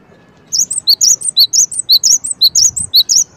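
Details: Cinereous tit uttering a fast, regular series of high, clear chirps, paired notes switching between lower and higher pitch, over quiet low background hum.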